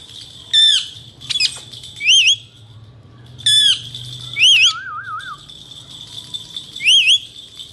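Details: Male Indian ringneck parakeet giving short, clear wavy whistles and harsh downward-slurred notes in bursts about every second, with a low buzzy warble near the end and a steady high tone underneath.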